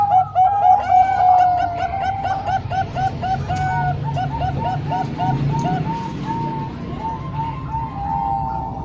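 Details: Zebra dove singing in a Bangkok-and-local song mix meant for training young birds: stretched cooing tones lead into a fast, even chain of short bubbling notes, with a low rumbling hum underneath.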